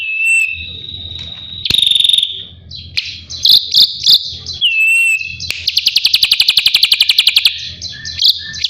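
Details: Drongo song used as training material for white-rumped shamas: long level whistles, sharp metallic notes and a rapid even trill of many clicks lasting about two seconds, over a faint low hum.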